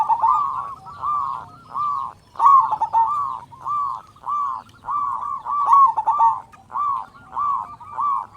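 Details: Persistent, loud local zebra dove singing to provoke other zebra doves into calling: about thirteen arched, rolling coo notes in an even rhythm, one every half second or so, over a faint low rumble.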